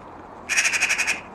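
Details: Jackdaw that has returned daily to its human companion for four and a half years copies the calls of crows and magpies. It gives a fast, harsh chatter of about eight rasping notes in under a second, then one short note.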